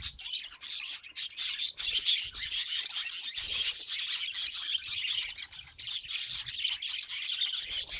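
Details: Pet budgerigar chattering nonstop: dense, scratchy, high chirps and warbles running together without pause, with slightly louder bursts in the middle.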